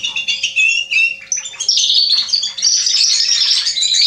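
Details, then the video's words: Male Atlantic canary singing, recorded 27 October 2020: a loud, high warbling run of varied chirps and trills that starts with separate notes, then flows into a continuous rapid twitter from about 1.7 seconds. "Kanariengililtz Männchen am Singen."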